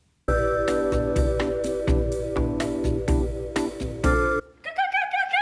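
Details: Bright electric piano music plays steady repeated chords, then shifts into a higher tinkling melody near the end, with no animal sound.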